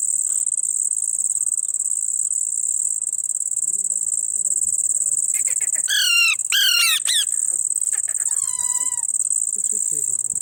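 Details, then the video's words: A young ringneck parrot calling: a few harsh, downward-sweeping squawks in a quick burst, then a falling whistle, over a steady high insect drone. "baby parrot calling"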